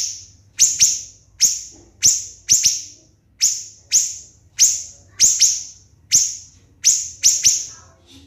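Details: Siri-siri bird singing for songbird contest training: loud, very high shrill notes with falling tails, often paired in quick doublets, separated by gaps of about half a second.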